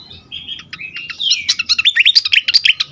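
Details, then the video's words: Fantail singing excitedly, a recording for attracting and stimulating birds. Short whistled notes build into a dense, rapid string of high chirps and zigzag whistles that grows louder toward the end. "sikatan kipas ngamuk sekali dengar cocok untuk pikat dan rangsangan bunyi burung bahan"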